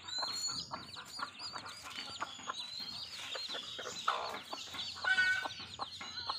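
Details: Desi hen rearing her chicks in a village in Bangladesh: dense chorus of high cheeping chicks with rapid clicking pecks throughout and a brief louder note near the end.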